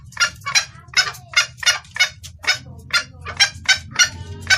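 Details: Female red junglefowl calls to a male, a clean recording for luring males: rough, buzzy clucks in a loose irregular sequence, some doubled, above a low humming background.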